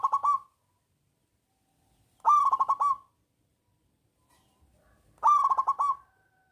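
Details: Zebra dove song of the local type, loud and big-voiced, played to coax silent doves into singing: three bursts of quick, stuttering staccato coos, each under a second, spaced about three seconds apart in quiet surroundings.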